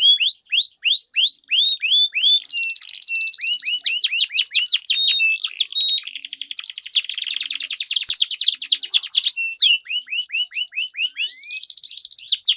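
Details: A canary duel of melodious long rolling song, used as training lure for competition birds: dense buzzy rolls alternate with bursts of quick, sweeping chirps, two singers overlapping throughout in a high, continuous stream.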